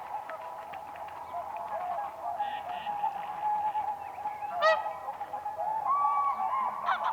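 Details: Whooper swans on spring ice, dancing: a steady background of many distant trumpeting calls, with a few louder harsh honks standing out above the chorus.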